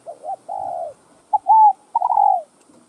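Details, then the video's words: Spotted dove (cu gáy, cu đất) song in the gáy gọi, thúc and gù styles: a short double coo, a long falling coo, a clipped note with a level coo, then a stuttering falling coo, all low and mellow in a quiet setting. "CHIM CU GÁY Giọng Hấp Dẫn ĐỦ BÀI [GÁY GỌI,THÚC,GÙ ]"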